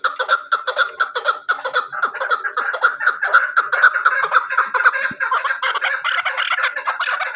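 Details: Hunting chukar partridge with a long run of rough chucking calls, roughly two each second. The notes become crowded and overlapping toward the end.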